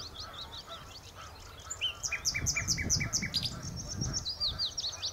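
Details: Common nightingale on Texel, Horsmeertjes, singing strongly: soft opening notes build into loud, rhythmic series of repeated chirps and whistled slurs, low background rumble throughout.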